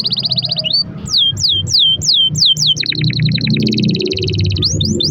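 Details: Canary singing a long rolling song (rol panjang), meant as a lure to prompt other canaries into song: dense rapid trills alternate with series of falling swept whistles, one phrase straight after another, with a low rumble beneath.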